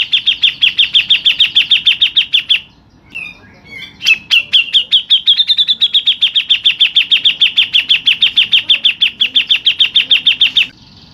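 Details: Local Grey-cheeked bulbul delivering a long rolling 'ngerol' burst: rapid, evenly repeated sharp chips about three per second on one steady high pitch, a brief softer pause of scattered notes, then the fast chipping rolls on.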